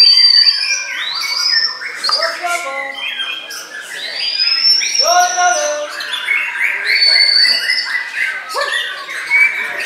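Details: White-rumped shama, reportedly bowing low as it sings, gives loud clear whistles, rising and falling slurs and rapid trilled bursts in varied phrases, with softer chirps behind.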